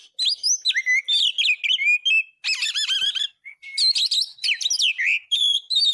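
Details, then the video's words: Oriental magpie-robin in full voice, a tutor recording for teaching other birds: a fast, varied string of clear whistles, sweeping slurs and short buzzy trills that switch phrase every second or so, with brief pauses between bursts. "Masteran isian ful burung kacer gacor"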